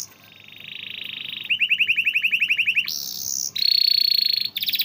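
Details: Canary song for coaxing silent canaries to sing: a soft rolling trill, a run of repeated swept notes, then high steady buzzy tones and a brief fast trill.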